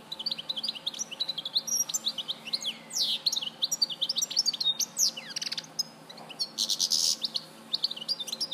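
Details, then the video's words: [5, 'Long, continuous goldfinch song recorded at Larache in 2014, packed with fast tinkling twitters, descending sweeps and a harsh buzzy burst near the end, almost without pauses.'] "Jilguero Larache 2014"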